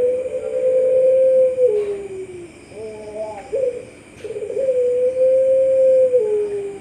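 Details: Champion-class puter pelung dove from an online contest in Sragen, Indonesia, October 2021: two long, level, deep coos each ending in a downward slide, separated by short throaty pulses, with steady hum behind.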